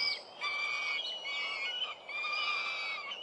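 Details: Young Northern goshawks at a New Forest nest near the end of the breeding season, 11 June 2012, where four young have fledged; long, drawn-out harmonic whining wails, two sustained calls held steady with a short break between.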